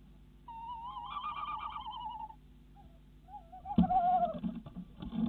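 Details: Tawny owls in the Netherlands at 10:23 pm in February: the female in a nest box calls and the male arrives with a mouse; wavering, quavering mid-pitched calls, a long one then a shorter one, then a thump and rustling.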